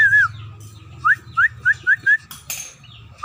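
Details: Scaly-breasted munia (emprit peking) starting to sing: one wavering whistle, then five evenly spaced short upslurred whistled notes, a brief rustle and a final rising note over a low hum.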